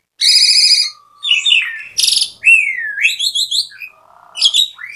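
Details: An Asian pied starling sings a loud, noisy, jumbled medley of harsh buzzy bursts, clear whistles and rising slurred glides, switching notes about every half second.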